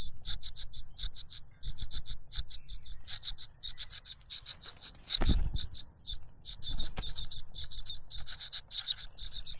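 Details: Begging cuckoo chick, too noisy while snatching food from the foster parent that plugs its mouth with a butterfly. Continuous shrill, buzzy pulses in rapid bursts, briefly broken by a low thump midway.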